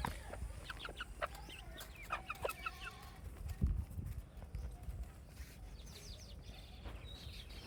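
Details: Farm baby chicks give clustered high, thin descending peeps over the first few seconds, then quieter scattered chirps, with heavy thumping and clip-clop hoof-like knocks in the background.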